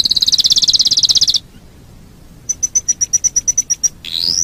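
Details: Training recording of a canary singing: a dense, fast trill held for over a second, a pause, then a run of evenly spaced sharp high notes and a closing upward sweep.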